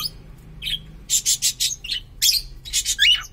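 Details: Pet cockatiel whose owner is unsure of its sex, uttering a series of bright, slightly harsh chirps about four per second, ending in a downward-sliding whistled note, with faint indoor hum behind.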